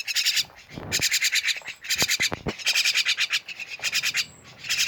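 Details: Lively jalak (myna) chorus of grating, rattling pulses repeated in quick bursts, broken by a few sharp clicks and knocks.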